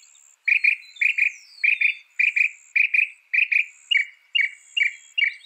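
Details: Song of a northern mockingbird, noted for mimicking up to 200 sounds: paired chirping notes repeated steadily about twice a second, each pair clipped and bright, a faint high hiss in the background.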